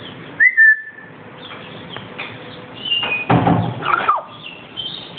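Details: A pet black-capped lory (Lorius lory) calling to be let out gives a clear, slightly falling whistle, then a harsher burst of scratchy, squeaky notes and a few short chirps, with quiet room noise behind.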